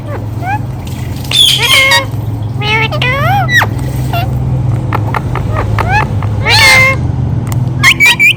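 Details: Pet ringneck parakeet talking, said to repeat "Mithu Mithu": scattered short harmonic, wavering syllables and squawk-like notes in irregular bursts, with a steady low hum throughout.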